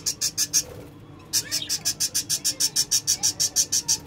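Lovebirds give rapid, shrill, high-pitched chirps, about three every second, with a brief pause early on and a faint low hum underneath.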